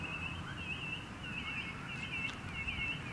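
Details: Noisy miners at dawn at a backyard bird sanctuary in Moorooka, Australia, keep up a steady, wavering chorus of high chattering notes, with a low rumble of distant traffic underneath.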